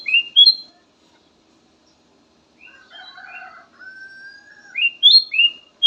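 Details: Kutilang emas song used as a lure: bright rising whistles open and close the passage, with a softer rough chattering and a long level whistle in between.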